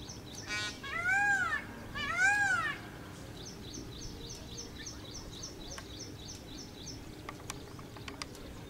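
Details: Peacock dancing at Sanskruti Township, Hyderabad, on 19 May 2010 at 6:40 am: two loud, wailing calls, each an arched rise and fall, about a second apart, followed by another small bird's rapid, repeated high chirping series.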